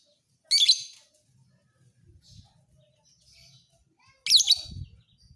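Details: Lovebird fighter bird, used to train other birds, gives a pair of loud shrill chirps four seconds apart, faint thuds and rustles between them.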